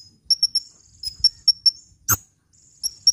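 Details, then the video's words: Short burst of hummingbird song for attracting birds and coaxing lazy ones: a handful of high, sharp chirps, then a loud click and a brief silence before two more chirps. "SUARA BURUNG KOLIBRI GACOR‼️ [bisa buat pikat & yg males bunyi"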